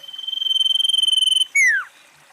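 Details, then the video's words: Common iora song: a long, high, buzzy trill held steady for about a second and a half, then a clear whistled note slurring sharply downward. "SIRTU/CIPOH GACOR Suara"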